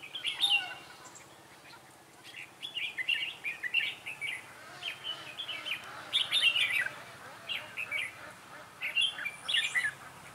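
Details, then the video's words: Red-whiskered bulbul singing as a novice decoy in a bird trap to attract wild bulbuls, recorded 11 December 2016; lively warbled phrases repeated roughly every second, with short pauses, over a quiet background. "Bẫy chào mào Mồi tập sự ra trận"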